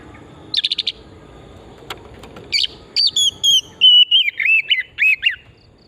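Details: Oriental magpie-robin lure song from a wild forest setting: a buzzy note cluster over a low background hum, then a run of clear whistles and twisting slurred notes.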